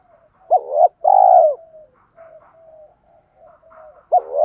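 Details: Male and female spotted doves cooing to stimulate other doves: one loud low phrase ending in a long drawn coo, then softer overlapping coos from further birds, and a new phrase beginning at the close.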